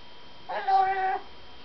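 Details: One very excited parrot lets out a single drawn, whining harmonic cry, rising in strength then holding level for roughly two thirds of a second, in otherwise quiet surroundings.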